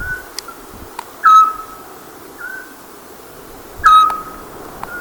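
Eurasian scops owl giving short, soft, level whistled notes, a clear pair about two and a half seconds apart, with fainter similar notes in between.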